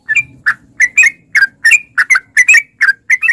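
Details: Lure recording of a sooty-headed bulbul for making caged birds sing. Lively, slurred chirps, often doubled, repeat about three times a second over a faint low hum in the background.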